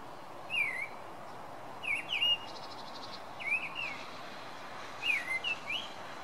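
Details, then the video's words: Song Thrush singing at night: short, bright whistled phrases, some given twice, every second or two over a steady background hiss. "Song Thrush"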